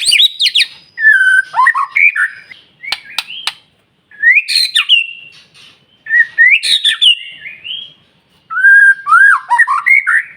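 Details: Varied whistled song of a White-rumped shama used to provoke other shamas, with sharp clicks, upward-sweeping whistles and rich warbled phrases, given in bursts with short silences.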